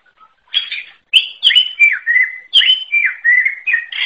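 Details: Greater green leafbird singing a rapid, varied string of high chirps, slurred whistles and downward warbles, with short sharp clicks mixed in.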